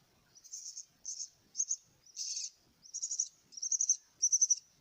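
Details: Begging myna chicks being fed give separate scratchy, high-pitched bursts in short groups, growing more rapid and pulsed toward the end.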